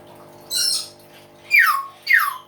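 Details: Hill myna calling loudly: a harsh hissing burst followed by two strong descending whistled notes, each sliding from high to lower pitch, about half a second apart.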